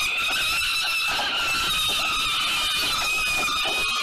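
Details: Peregrine falcons at the 367 Collins site in Melbourne's city centre struggle over prey at 5:07 p.m. on 5 November 2022. Continuous, harsh, harmonic screaming runs steadily through the whole stretch over a noisy background.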